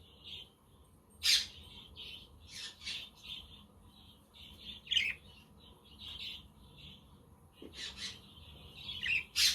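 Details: Budgerigar flock chatter on a windy, sunny day, with a quaker parrot and a conure in the background: soft warbling interrupted by sharp loud squawks and clicks, a low hum persisting.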